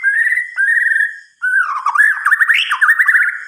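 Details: Night song of a white-rumped shama: two sustained warbled whistles, then a wavering series of quick rising and falling notes.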